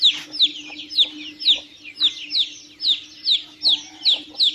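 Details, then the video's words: Chicks of the chicken calling with insistent high peeps, each slurring downward, repeated about twice a second, with a low steady hum underneath. "CANTO E SOM DOS PINTINHOS - PINTINHO PIANDO"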